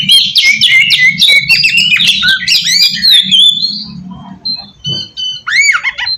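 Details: Decoy song of an oriental magpie-robin: busy scratchy warbling with whistled slides for about four seconds, then quieter gaps broken by a few loud, sharply curving whistles.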